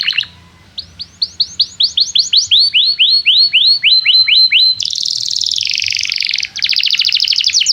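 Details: Canary singing energetically, used as a lure to help young canaries learn to sing: a series of rising whistled upslurs about three per second, then a dense buzzy trill, a brief pause and another fast rattling trill.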